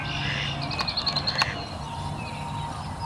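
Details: Wood duck ducklings in a group at High Park, giving a rapid series of about eight short, high, evenly spaced peeps, then fainter calls under constant low rumble.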